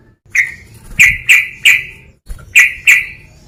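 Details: Rival-baiting calls from a male sooty-headed bulbul: two bursts of rapid, harsh chipping notes, three to four in quick succession, separated by a short gap.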